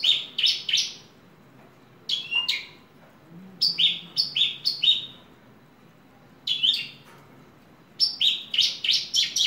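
A Horsfield's bush lark sings in bright, high bursts, each a quick run of three to six sharp chirping notes separated by brief pauses; the background stays quiet.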